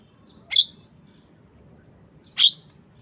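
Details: Asian pied starling giving two sharp, harsh broadband chirps about two seconds apart, each brief and explosive, over quiet background.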